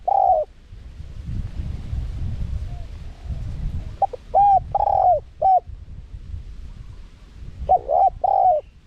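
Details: Spotted dove calling in the 'karom pa' wild style, small-voiced, with 'khat', 'nun' and 'ku ang' elements, played to draw wild doves in. Mellow coos open the clip, a full four-note phrase follows midway, and another starts near the end over a low hum.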